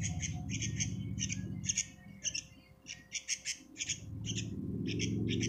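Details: Young sooty-headed bulbul giving harsh, squawky calls in short irregular bursts, loudest near the middle, over a strong low rumbling background noise.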